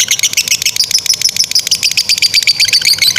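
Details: Lovebird giving long 'ngekek' chatter for training other birds: a rapid, buzzy string of shrill high chirps, nearly four per second, without pause.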